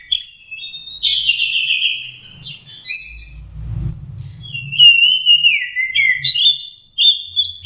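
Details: Young orange-headed thrush learning song delivers rambling whistled phrases, buzzy trills and dropping slurs at high pitch, many varied notes in quick succession; faint low thuds in the middle.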